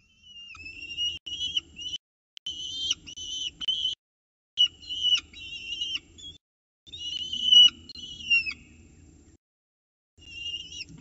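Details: Peregrine falcon chicks in a nest box in Orange, 29 October 2018, at morning feeding, fighting over prey while the female steps in to feed; loud, high, wavering squealing whines in bursts of one to two seconds with short pauses.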